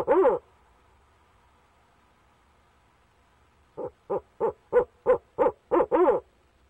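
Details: Barred owl at a nest box, male calling to his mate: one loud hoot, a long silence, then eight short rhythmic hoots at roughly three-tenths of a second apart, ending with a drawn-out note.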